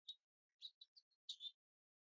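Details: Female house finch perched on a weather vane in a backyard, calling: a few short, chirpy notes, some paired, scattered across two seconds in otherwise quiet surroundings.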